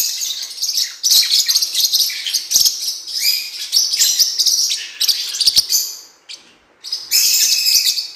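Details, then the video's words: Blue-winged parrotlet song made of long runs of high, harsh twittering and squeaky notes, broken by one short quiet gap near the end before another burst. "CANTO DO FORPUS - OTIMA QUALIDADE PARA ENCARTE E TREINAMENTO! (Cuiubinha, Forpus Xanthopterygius)"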